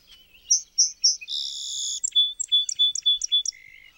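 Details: Song sparrow song played back for listening: three separate buzzy notes, then a long buzzy trill, followed by about five short sharp notes, ending in a lower drawn-out buzz.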